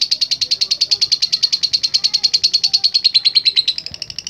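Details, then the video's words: Lovebird in a long, unbroken trilling song, a rapid, very regular stream of high, piercing pulses about seven per second, holding steady for over four seconds and dipping slightly in pitch near the end. "LOVE BIRD GACOR NGEKEK PANJANG"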